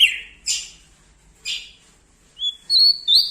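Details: Bar-winged prinia from Lombok, singing loudly near bigger birds. A few short harsh, buzzy notes spaced about a second apart give way to a high, pure whistle climbing upward at the end.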